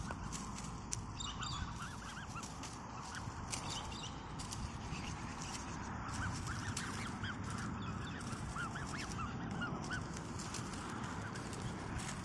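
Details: A family of black swans, two adults and two juveniles, in Canberra, Australia, being fed green peas, give soft, bugling honks and short trumpeting notes over a steady low rumble of wind or water.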